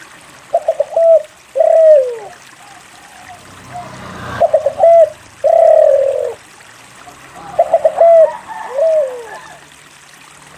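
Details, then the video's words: Persistent spotted dove song intended to stimulate quiet doves: repeated phrases of fast stuttering coos capped by long, low coos sliding downward, about three phrases in ten seconds, with a brief rustle midway. "SUARA PANCINGAN DERKUKU GACOR UNTUK MALAS BUNYI"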